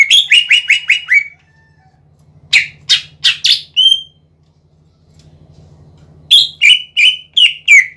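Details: Lively captive Greater green leafbird singing to goad other leafbirds into answering: a quick string of clear, dropping whistles, then scattered sharp chips and a brief trill, ending with a fresh run of repeated whistles; soft low hum underneath.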